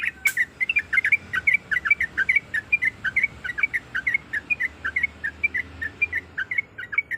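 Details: A female Sooty-headed bulbul calls to the male in breeding condition. Brisk, bright chirped notes repeat at a fast, slightly irregular pace, opening with a sharp click.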